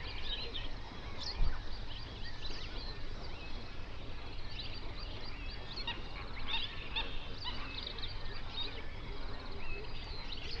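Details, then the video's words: Hundreds of flamingos calling on a lake in a national park in South Africa's Overberg region, recorded binaurally around sunrise: a dense, continuous chorus of nasal, goose-like honks overlapping without pause, with a steady low rumble beneath. "Flamingo sounds"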